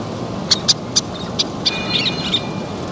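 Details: Least tern at its nest with young being fed; a short series of crisp, high kip notes, about seven spaced unevenly over two seconds, ending in a softer trill-like cluster.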